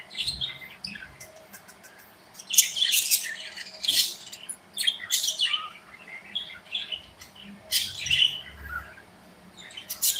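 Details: Pet budgerigars in their aviary, chattering while flitting and interacting; scattered bursts of high, scratchy chirps and warbles come in clusters separated by quieter pauses.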